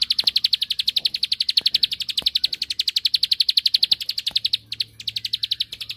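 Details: Ciblek sawah, or bar-winged prinia, singing to goad a rival into replying: a steady, rapid stream of piercing high notes that falters briefly near the end before picking up again.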